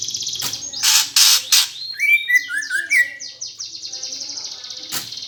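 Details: Gereja fighting song from a greater green leafbird, aimed at provoking contest birds. Three loud harsh bursts open, followed by lower slurred warbling whistles and a quick trill of falling high notes, with one more harsh burst near the end.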